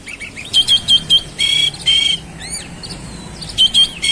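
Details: Oriental magpie-robin delivering short buzzy bursts topped with clear high whistled tones, then two curved whistled slurs, followed by another buzzy burst.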